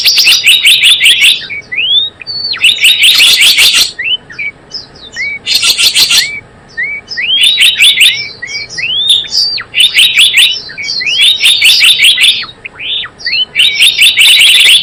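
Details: Java sparrow calls used as a bird-trapping lure: dense rapid chirping bursts alternating with short upward-sliding whistled notes, in repeated clusters about every two seconds, with brief quieter gaps.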